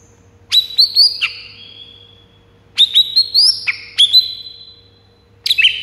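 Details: White-rumped shama song used to stir rival birds into singing: high, sharp bursts of clipped whistled notes with ringing overtones, in three separate outbursts set apart by short pauses.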